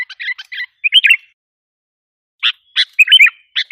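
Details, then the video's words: Sooty-headed bulbul lure call to provoke wild bulbuls: clusters of bubbly, chattering warbled notes, a silent gap of over a second, then more short chips and liquid phrases. "suara pikat kutilang ampuh 100%bikin kutilang liar emosi"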